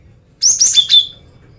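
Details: Female cinereous tit singing to lure males: a quick string of three high, sliding whistled notes ending on a lower, drawn-out tone.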